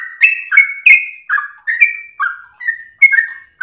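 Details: Sooty-headed bulbul singing a melodious master song meant to train and provoke other birds: spaced whistled phrases, each note sliding or dipping, about two to three per second, with nothing else audible.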